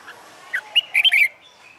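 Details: Caged red-whiskered bulbul, newly caught and trained for fighting song, sings one loud rapid phrase of several bright whistled notes rising and falling, preceded by a short soft chirp.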